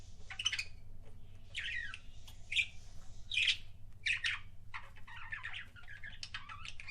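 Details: Budgerigar kissing sounds from a pet bird: separate short squeaky smacks and chirps about once a second, then a softer run of fast chatter, over a constant low mechanical hum.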